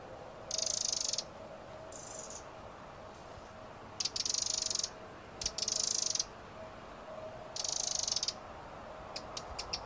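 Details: Eurasian wren producing short bursts of extremely rapid, high, buzzy trilling, each lasting about half a second to a second and separated by brief pauses, with a few isolated clicks near the end over low steady hiss.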